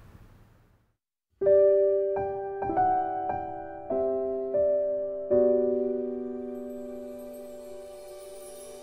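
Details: Gentle piano notes ring out and fade after a brief silence, with no animal voice heard.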